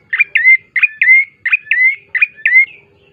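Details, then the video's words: Lure song of a bar-winged prinia meant to get birds singing quickly: seven or eight quick high chirps, each with a rising whistled tail, repeated in a fast, steady run with nothing else audible. "pancingan prenjak coki GACOR❗ agar cepat bunyi"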